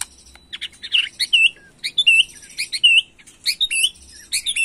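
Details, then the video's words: Agitated white-rumped shama singing in the macul style, used to stir up young birds: loud, high whistled phrases with sharp downturned hooks and chattering notes, bursts spaced by short pauses. "Murai Batu emosi Gaya MACUL"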